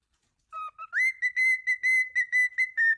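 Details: Pet cockatiel whistling: two low notes, then a rising slide into a steady, clear tone broken into a rapid string of repeated pulses.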